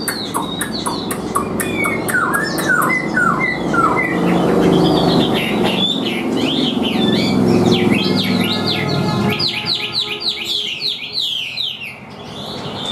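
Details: Hand-tamed Chinese hwamei, caged, singing over a loud low rumble: varied whistled phrases at first, ending in a fast, regular run of high repeated notes.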